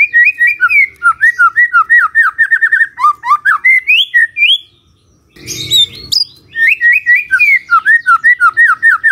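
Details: Lively morning magpie-robin song to spur a quiet bird into answering: rapid chains of looping whistled notes, varied and continuous, broken by a brief noisy pause before the whistling resumes.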